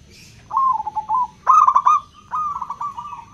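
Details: Local zebra dove with a clear 'crystal' voice, sung to stimulate doves that seldom call: three rapid rolling coo phrases within three seconds, the middle one loudest and brightest, over quiet low noise.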